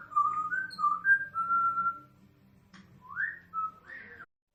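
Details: African grey parrots kept as guests at a pet hotel in Tyresö, Sweden, vocalising indoors: quick stepped whistled notes, a long steady whistle, then an upward-sweeping whistle and a short rising note, over a low room hum.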